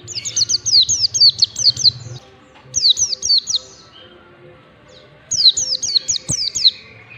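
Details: Ngalas-style song of a mountain white-eye, a training sound for birds: three rapid strings of sharp, high, falling whistles, the first long and busy, each string separated by short pauses. A low hum runs early on.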